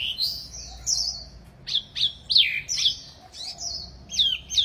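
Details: A wambi mini bird sings in bursts of high whistled phrases, some rising, some sharply falling, spaced by brief pauses, each phrase bright and slightly buzzy at the start.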